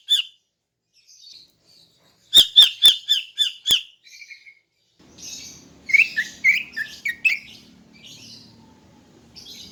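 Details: In the morning a female greater green leafbird calls to attract males. Six emphatic chips come in a fast burst, then a busier stretch of twittering, slurred notes over a faint low hum.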